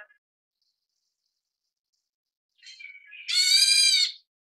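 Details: Black Bulbul chicks (Taiwan-endemic subspecies Hypsipetes leucocephalus nigerrimus) beg while being fed: after a long silence, soft chatter swells into a loud, harsh, buzzy burst of high squealing lasting about a second.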